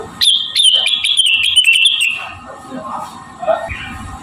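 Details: Javan cochoa song used as a training model for caged songbirds: a long, high, steady whistle lasting about two seconds, overlaid with rapid sharp ticking notes, then softer lower warbles and faint background noise.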